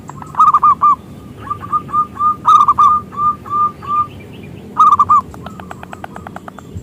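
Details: Zebra dove of local stock singing loudly as a lure for other doves: rolling coo bursts framing a chain of evenly spaced, clipped mellow notes, ending in a quiet patter of clicks.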